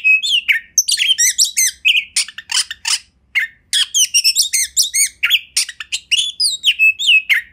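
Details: Oriental magpie-robin (kacer) singing a master song used to train other birds: a dense, fast run of varied high whistles, chirps and slurred notes, almost unbroken with one short pause, in a quiet small room.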